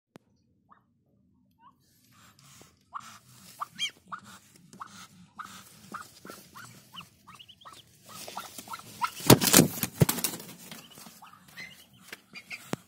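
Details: Newly hatched Muscovy ducklings on a farm, ready to be taken from the hatch: short peeping notes come in quick, uneven bursts, growing busier over time. A loud rustling, clattering burst of noise briefly drowns them out, and a low hum runs beneath.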